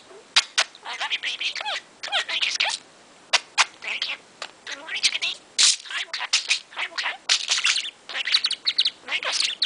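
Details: Male pet budgerigar indoors in the morning, wide awake after listening to music, talking rapidly: a fast, nonstop run of chattering, speech-like syllables and squeaky warbled notes in short bursts with brief pauses, sometimes answered by a second budgie.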